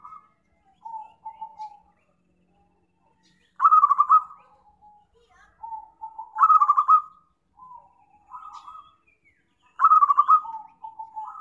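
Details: Lure recording of a zebra dove for trapping: bubbling coos alternate with loud trilled bursts, three full phrases spaced a few seconds apart, with low purring notes between them.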